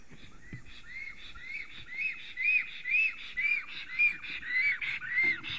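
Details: Male black stork visiting a nest in Sigulda, Latvia, on 30 April 2020 at 10:11 am, filmed by a live nest camera. He sings a lot while preening and rearranging branches. He gives a run of about ten arched whistles, nearly two per second, over low rumble.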